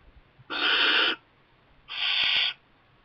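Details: Barn owl youngster in a kestrel nest box, parents repeatedly bringing in mice; two long, steady, breathy hissing screeches, each over half a second, separated by a short quiet gap.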